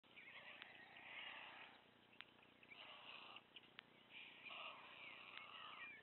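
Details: Very hungry White stork chick at Wilsum, begging and pulling food straight from its parents' bills. Drawn-out, hoarse, whining cries come in long bursts, broken by sharp clicks.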